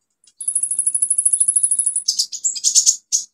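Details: Olive-backed sunbird in full song, played as a lure for sunbirds that have gone quiet: a fast, even high trill of about thirty ticking notes, then a jumble of scratchy, squeaky high phrases.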